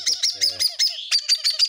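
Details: A baby cockatiel, fully weaned yet still begging for food, gives rapid, raspy, high chirps, about six per second, in a steady insistent run; faint low voices early on.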